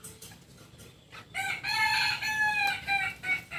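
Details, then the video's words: Kukuak Balenggek chicken, the singing chicken of Solok, West Sumatra, crowing: a long, sustained harmonic call that starts abruptly and holds with wavering, stepped pitch changes, preceded by faint clucks. "Ayam kukuak balenggek ayam asli solok sumbar"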